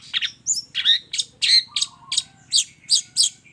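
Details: Long-tailed shrike delivering a string of scratchy, chattering notes, about ten in a few seconds, mixing harsh bursts with brief clearer whistled tones. A faint flat whistle and a low hum sound behind.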